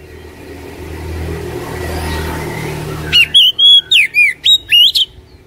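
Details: Oriental magpie-robin song used to prompt a caged bird to sing: after three seconds of low background rumble, a burst of loud, clear whistled notes with sharp rising and falling slurs, repeated quickly.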